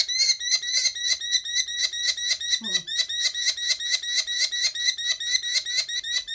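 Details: Injured merlin, a small falcon also called pigeon hawk, vocalizing during a medical exam at a veterinary clinic in Bright, Indiana: a rapid series of sharp, high, harsh notes, about two per second, steady throughout, with one brief low sound midway.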